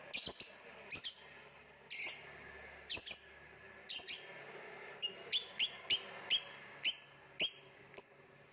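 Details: Lovebird uttering bursts of shrill, sharp chirps, paired or tripled notes at first, then a steady series of single clipped tweets roughly every half second.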